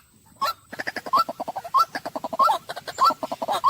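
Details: Rapid stuttering croaks from a white-breasted waterhen, with sharper upward-flicked kwak notes standing out about every 0.6 seconds within the run.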